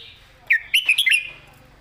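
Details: Caged red-whiskered bulbul, master song in clear southern style for teaching other birds: one short, loud phrase of five quick, bright whistled notes rising and falling, over a faint hum.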